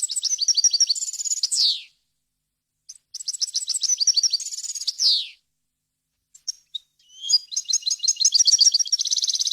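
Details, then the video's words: Varied, error-free European goldfinch song for teaching chicks to sing. Three high twittering phrases: the first two end in falling buzzy slurs, and the last becomes a rapid, even, tinkling trill. "غناء طائر الحسون ، صوت صافي وخالي من الاخطاء لتسميع الفراخ"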